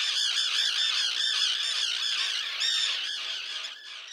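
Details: Common tern colony with young, 1.5 km from the coast near Liepāja, Latvia, June 2024. Rapid, repeated arched squawks, about two or three per second, keep a steady rhythm before fading slightly at the end.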